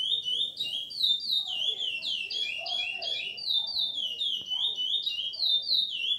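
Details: Chestnut-bellied seed finch (curió) singing in the Ana Dias style: a rapid, continuous run of bright, slurred whistled notes with rising and falling sweeps, tumbling almost without pause, with faint low background murmur.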